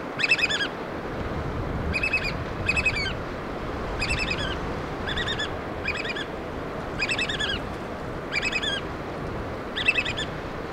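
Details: Black oystercatchers feeding chicks on the Pacific Northwest coast of Washington give loud, shrill piping whistles in short bursts about once a second over a steady rushing roar like surf.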